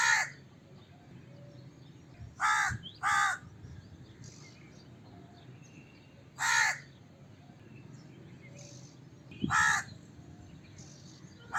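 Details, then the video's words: Harsh crow cawing: a caw, then a quick double caw, then single caws spaced a few seconds apart, with faint distant calls behind. "Crow Cawing Sound Effect, Voice of Crow, Crow Call Sounds, Crow Calling Sound, Crow Caw, Crow Bird"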